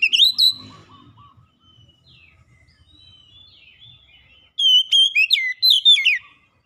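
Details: Lure song of the Oriental magpie-robin for coaxing reluctant birds to sing: a brief loud whistle, several seconds of soft, distant notes, then a strong burst of rapid, high, varied whistled phrases.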